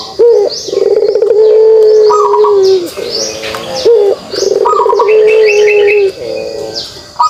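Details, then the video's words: Pelung dove in kugeruk call: two long sustained low coos of about two seconds, each started by a brief upward note, plus a quick series of high chirps from another bird. "suara kugeruk burung puter pelung"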